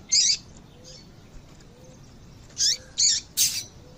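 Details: Female double-collared seedeater calling to stir a male into song: bright, high, squeaky chirps, one opening note then a tight run of three after a pause, over a quiet background.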